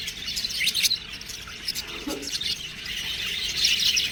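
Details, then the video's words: Budgerigar chicks chirp in bursts of high, raspy twitters, with a brief lower squeal near the middle and the chatter swelling louder toward the end. "budgies babies| cute birds| chirping sound"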